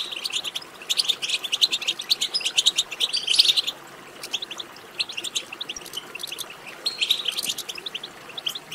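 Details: Stimulation track of European goldfinch song for prompting a goldfinch to sing: quick, liquid twitters in a busy first half, a quieter gap in the middle, then another lively burst of high chirps.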